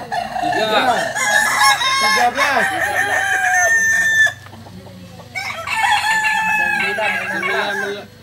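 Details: Landiak-class Balenggek roosters crowing at a Sunday contest in Ampang Kualo, Solok city; a long warbling crow with rapid arched notes, a brief lull of low hum, then another crow sequence.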